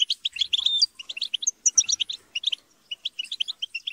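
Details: European goldfinches in group chatter and squabbling: bright, clipped high chirps tumbling in fast clusters, one short slurred whistle early, then spaced twitters toward the end.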